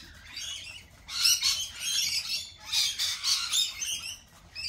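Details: Piercing squawks and rasping screeches from lorikeets at a cafe, rising in loud pulses about every half second before fading near the end.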